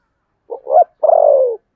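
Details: Spotted dove giving contest cooing in the 'Sấm Thổ' voice style: two short throaty notes rising in pitch, then one long, vibrating coo that slides gently downward. Clean, with no background sounds.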